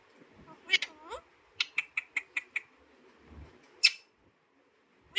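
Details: Alexandrine parakeet mimicking speech, saying "Mithu Mithu" in short, throaty syllables, with a quick run of six clipped notes and sharp, harsh squawks in between.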